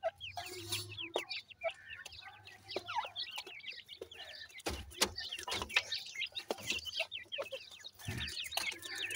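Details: Young grey francolins giving rapid strings of short, downslurred high peeps, many birds at once, with clattering taps and bumps and a low background hum.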